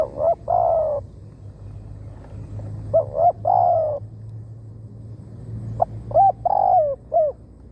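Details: Spotted dove kept as a decoy to attract wild birds into a trap, cooing three times: short clipped notes leading into a long falling rolled coo, the last phrase ending with extra brief hoots, amid low rumble.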